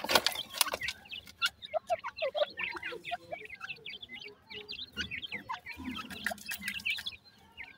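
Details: Francolin chicks, several young birds together in summer, giving a busy overlapping chorus of short, high, thin peeps and chirps, many rising or falling, with scattered dry clicks and taps throughout.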